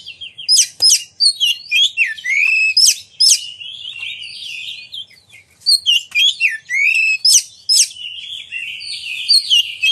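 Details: Oriental magpie-robin in vigorous song meant to make other magpie-robins sing and open their tails: sharp sweeping notes and whistled slurs in clustered bursts, separated by short gaps.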